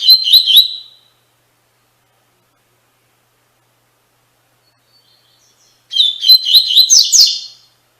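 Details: Tui Tui Fibra style song of a double-collared seedeater, recorded to train captive birds; the tail of one warbling phrase, a long silence, then a full phrase of rapid chipping and slurred whistles ending in a higher rising note.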